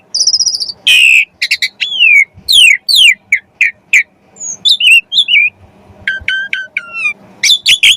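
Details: Lively jalak suren (Javan pied starling) song for training kacer birds: high whistles, emphatic downslurred notes and chips, then a series of lower level whistled notes with quick upslurs.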